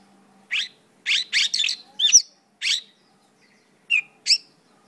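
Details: Mongolian lark giving sparse, short buzzy and rasping notes with longer silent gaps between them.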